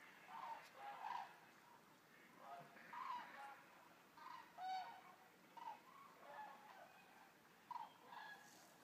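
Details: Resting flock of around 200 common cranes at a stork centre in Racconigi, Italy: separate bugling calls every second or so, some doubled, over a soft background of distant chatter.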